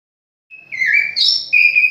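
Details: Oriental magpie-robin kept at home, giving a short burst of clear whistled notes: a steady tone, a slurred lower note, a higher bright phrase, then a sustained whistle.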